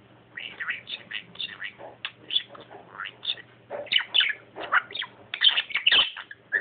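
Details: Talking pet budgie rattling off a fast stream of mimicked speech-like syllables mixed with chirps and warbles, loud and continuous, over a faint low background hum.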